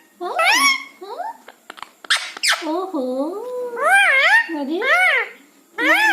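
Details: Pet parrot mimicking speech and whistling, replying to its owner with words such as "Mumma", "Maa" and "Ha"; a loud sharp squawk opens, followed by wavering, rising-and-falling voice-like phrases and whistles, with brief pauses between.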